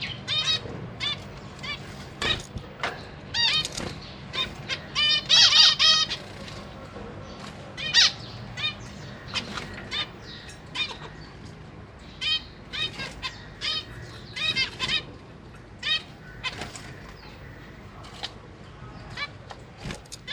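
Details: Captive zebra finch parents feeding newly fledged babies and juveniles in a big cage, 21 July 2023: frequent clipped, nasal, buzzy calls, some rapid stuttering runs, about four per second at times, with soft background hum.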